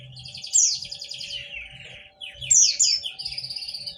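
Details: Two loud bursts of bright, trilled white-eye twittering, each sliding down from very high notes, separated by a short pause; a steady faint hum runs beneath. Played to coax reluctant white-eyes to answer.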